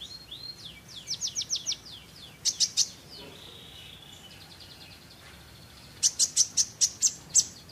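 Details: Olive-backed sunbird singing actively: series of thin, high downslurred whistles, then sharp bright chirps in groups of three, a soft buzzy trill, and a final run of about six loud piercing chirps; no other sounds.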